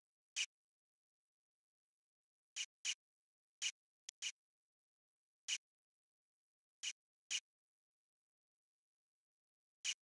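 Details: Harsh, noisy call notes from a variable oriole, mostly single with some close pairs, scattered irregularly across ten seconds of otherwise silent recording.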